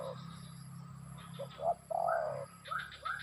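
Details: Spotted dove with short low hoots and one long, smooth coo, followed by higher rising whistled notes and rapid chirps from another bird.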